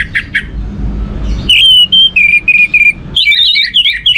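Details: Orange-headed thrush singing as a lure for other birds: clear, slightly falling whistles repeated in a series, then a faster run of warbled, varied notes, with low background rumble.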